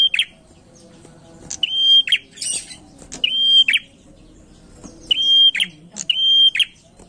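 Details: Prinia in full song as a lure: level, ringing whistles that drop into rapid chattering notes, four phrases with irregular pauses and a scratchy buzz between them.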